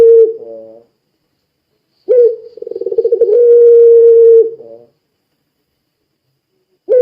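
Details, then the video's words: Puter pelung dove, used as a lure for other doves, gives a brief coo and short notes, then after a pause a pulsed rolling run into a sustained level hum, followed by silence. "Suara Burung Puter Pelung Gacor Sangat Ampuh Menjadikan Puter Lain Ikut Bunyi"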